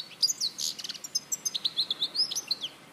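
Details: European goldfinch from Larache, recorded in 2014, singing a fast, tinkling run of high twittering notes, bright chirps and short trills packed closely together throughout.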